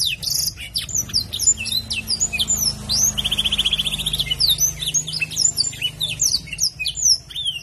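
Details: Canary with blackthroat-style song, delivering a nonstop flurry of thin, high whistles and quick sweeping notes, broken by an even, buzzy trill lasting about a second, with a faint low hum underneath.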